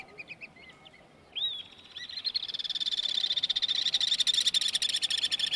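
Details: Alpine swifts flying over the streets of Dubrovnik, Croatia, in August 2018: a few faint chirps, then a long rapid shrill trill that swells louder as the birds approach.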